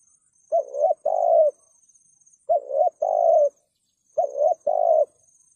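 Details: Spotted dove in the thúc gù cooing style, a call used to lure wild doves into traps: three low two-part coos, a short note then a longer held one, spaced about two seconds apart, with a faint high steady whine behind.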